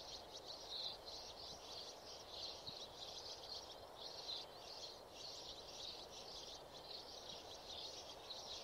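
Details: Sparrows in a trapping setting, giving rapid high chirps in dense, overlapping bursts across the whole stretch over a steady broadband hiss.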